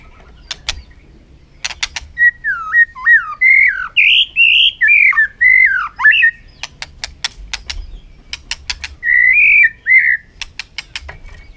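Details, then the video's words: White-rumped shama, fired up in contest song in the afternoon sun: a long series of loud, rolling whistled notes, with repeated sharp clicks between phrases and a short warbled phrase near the end. "chòe lửa căng lửa hót đấu siết nắng chiều"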